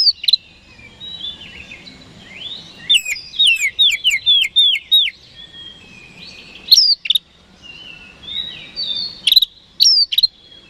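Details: Oriental magpie-robin daily lure song to stir rivals into responding: soft varied whistles, a fast loud series of sharp downslurred notes, then scattered bright bursts and quieter warbling phrases.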